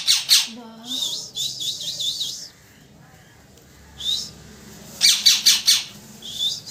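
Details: Parrot chirping: loud sharp high chirps and wavering whistled warbles in short bursts, a quiet gap, then rapid repeated chirps.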